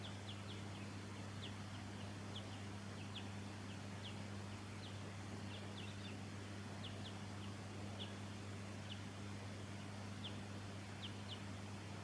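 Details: Wild Silvereye, ssp. pinarochrous, from Victoria, Australia, December 2017; a long run of quick high thin downslurred chips, irregularly spaced and sometimes paired, against a persistent low mechanical hum.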